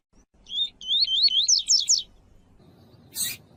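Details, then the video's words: Male double-collared seedeater, kept by breeders for song tournaments, sings a quick run of bright, warbled whistled notes that climb in pitch, followed by a short sharp noise burst. Female calls were used to stimulate him. "Esquentar coleiro com Piado de fêmea de coleiro e coleiro tui tui cantando"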